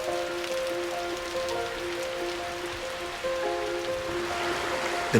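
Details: Soft sustained music with steady tones and a faint hiss like light rain, ending with a brief knock.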